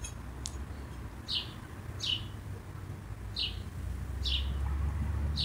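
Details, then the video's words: Common blackbird scolding with clipped, high, descending chip notes, one faint then five clear ones at irregular intervals of roughly a second. A low rumbling background swells toward the end. "Schimpfende Amsel oder Spatz ASMR Geräusch Vogel Sound scolding blackbird sparrow"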